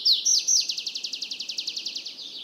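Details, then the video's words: Three loud slurred notes from a tree pipit open a fast, even trill of repeated short downward strokes, about eight per second, holding steady to the end. "Как поёт лесной конёк?"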